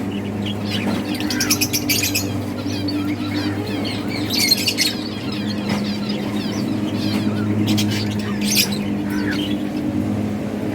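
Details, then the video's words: Budgies in a breeding colony, playing. Scattered bursts of bright chattering and rapid high tweets rise over a steady droning hum. "Budgies playing and chirping"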